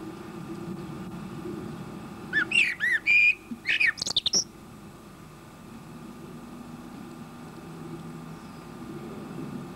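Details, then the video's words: Male common blackbird, a regular visitor, sings with a full beak while feeding on a bird table: a two-second burst of fluty warbled phrases and squeaky high twitters, then quiet with a steady low background hum. "blackbird feeding (and singing!)"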